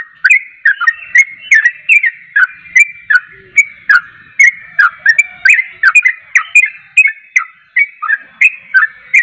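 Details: Yellow-vented bulbul singing vigorously, used to prompt other kept bulbuls to answer: short bubbly, slurred notes delivered rapidly and continuously, about two per second, over a faint steady whistle-like tone.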